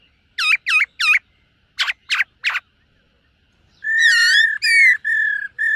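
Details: Silver-eared laughingthrush morning song practice: two sets of three looping, upswept notes, then a run of long level whistles with bright harmonics.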